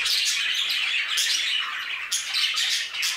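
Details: Budgerigars in an aviary: a dense flock chatter of overlapping warbling, scratchy chirps and squawks, with no pauses, and bursts of sharp notes near one and two seconds.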